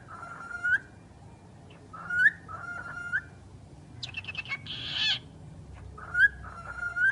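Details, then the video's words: Talking bird making repeated rising whistled phrases, each ending in a sharp upturn, with a rapid harsh rasping burst in the middle; pauses of near silence between utterances. "the talking bird"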